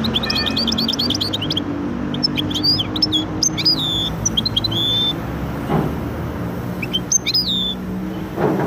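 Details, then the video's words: Goldfinch–canary hybrid delivering a fast twittering phrase, then scattered whistled and buzzy notes with short pauses, over a noticeable low droning hum. "هجين ويداني ممتاز"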